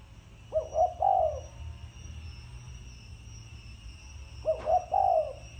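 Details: Thổ sấm-style cooing of a spotted dove: two identical low phrases about four seconds apart, each two short bent notes then a drawn-out throaty coo, with a steady faint hum behind.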